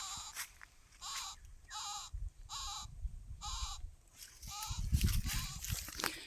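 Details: A baby parakeet found at its nest tree in a forest gives harsh, rasping crying calls, about one every second, seven in a row, over low rustling and handling noise.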